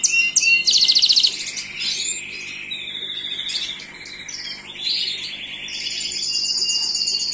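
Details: Singing Gloster canary opening with a loud burst of rapid buzzy trills, then softer twittering phrases and a sustained high rolling trill at the end.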